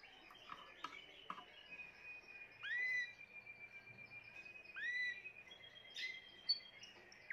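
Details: Timbrado canary from a 2020 collection singing a long sustained whistled tone with two loud upswept notes about two seconds apart, plus short clicks and chips.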